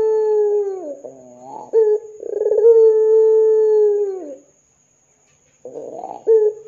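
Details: Ringneck dove calling lively in 'gacor dor' style as a lure for other doves: a held low coo, a quick throaty flourish, then a long steady tone that falls away, silence, and a new pulsed phrase.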